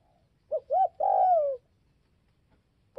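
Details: Spotted dove calling to provoke other doves: two short hooting notes, then one long, bright coo that slides gently downward, in an otherwise quiet setting.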